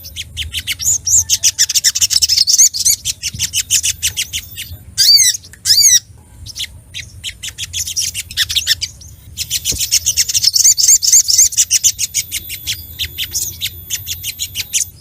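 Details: High-pitched, aggressive brown-throated sunbird song aimed at rivals: long runs of rapid, sharp chirps broken by a couple of loud arched whistled phrases near the middle.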